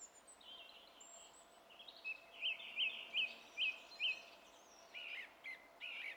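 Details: Song thrush song from 27 April 2016: high thin squeaks and soft twitters, then five sharp flicked notes delivered in an even series, closing with harsher rasping phrases.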